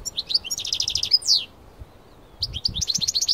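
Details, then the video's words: Outdoors in nature, a Parva European goldfinch sings powerfully: a quick run of bright, liquid twitters and a descending slurred note, a second-long silence, then another burst of high chattering trills. "حسون يكسر صمت الطبيعة، تغريد و لا أروع | تغريد حسون بارفا قوة نار | حسون مغرد من الدرجة الأولى"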